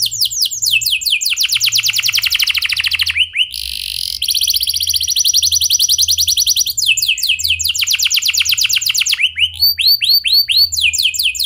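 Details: Canary's clear rolling song meant to spur other canaries to sing, with long fast trills of high repeated notes, a brief buzzy burst, and later descending whistled sweeps.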